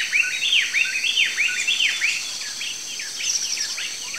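Campo Flicker giving a rapid series of high, sharp, down-slurred notes, about two per second, over a steady hiss of insects or background noise.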